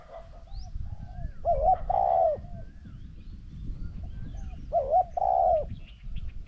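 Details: Spotted dove cooing in a decoy session with a wild bird: two hollow phrases about three seconds apart, each with a short dipping note and a longer sustained coo, above steady low background noise.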